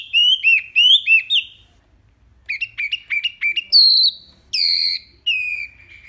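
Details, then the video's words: Tembakan-style wambi song for tutoring pet songbirds: rapid bursts of looping whistled notes in quick runs, then longer, higher, ringing whistles after short pauses, loud and clean with no other sounds. "SUARA JERNIH TEMBAKAN WAMBI MINI"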